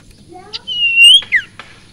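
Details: Sirpu (sirtu) songbird singing to rouse other birds; a long clear whistle rising slightly, then a sharp downward slurred note and clicks, after short rising harmonic notes, in a quiet setting.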